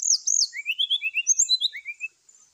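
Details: Brown-chested jungle flycatcher giving its morning fighting call to provoke rivals: a fast, rich run of about a dozen looping, warbled whistles that climb and fall over two seconds.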